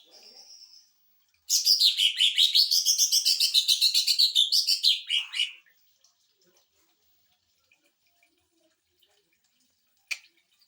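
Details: Greater green leafbird song for training and provoking other birds: a brief high whistle, then a four-second machine-gun trill with wavering pitch, followed by quiet.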